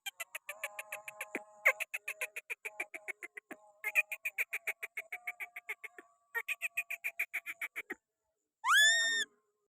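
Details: Pakistani green parrot held on a hand, chattering in quick raspy repeated notes with some tonal hums beneath, pausing, then ending with a single loud rising whistle.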